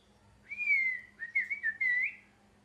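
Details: Parrot giving a short run of clear whistled notes: one long slightly falling whistle, then several quick wavering notes and a final rising whistle, all fairly high-pitched, in a quiet room with a faint low hum.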